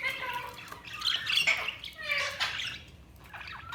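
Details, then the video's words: Budgies chattering with bright, scratchy chirps and warbling squawks in quick overlapping bursts, loudest in the middle, fading toward the end. "Budgies Sounds| Budgies Chirping sound"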